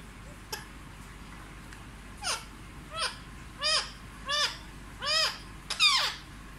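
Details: Pet parrot said to talk in Hindi, indoors: six loud, harmonic, downward-sweeping squawks or calls spaced roughly one second apart, rising in strength toward the end, in a quiet room.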